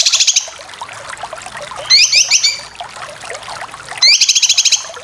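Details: Cucak kinoy song for training competition birds: short bursts of rapid buzzy trilled notes at the start, middle and end, separated by quieter gaps with faint chirps and a low hum.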